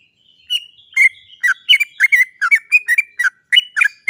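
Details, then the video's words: Sooty-headed bulbul (trucuk) in a long rolling lure song meant to make other birds sing quickly: a rapid chain of varied bright chirps and slurred notes, steady and continuous after a soft opening whistle. "TRUCUK GACOR ROPEL PANJANG... suara cok cok cok ngerol PANCINGAN burung trucukan agar cepat bunyi"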